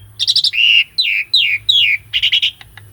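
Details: Asian pied starling in a cage singing for tutoring a silent bird: quick stuttered notes, a steady whistle, then three descending whistled slurs and another stuttered burst.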